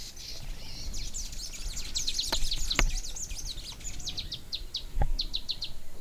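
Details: Bronze sunbird: a run of sharp, high chirps, crowded together at first, then spaced into quick pairs and triplets toward the end, over a steady low rumble with a few dull knocks.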